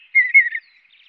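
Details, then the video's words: Mountain bluebird chirps: a short burst of two or three soft, slightly burry whistled notes sliding gently downward, close and clean against a silent background. "Mountain Bluebird Chirps"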